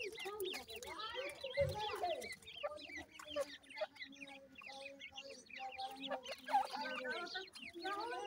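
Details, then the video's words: Grey francolin chicks call nonstop at their nest with a busy tangle of high, thin chirps and soft lower clucks. The sound rises and falls in uneven bursts throughout. "gray francolin nesting,dakhni teetar chicks calling"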